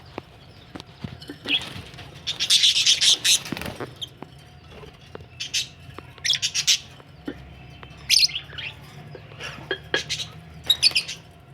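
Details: Budgies ready for laying eggs give harsh, scratchy chirps and squawks in scattered bursts, busiest early on, then sharp isolated notes over a steady low hum.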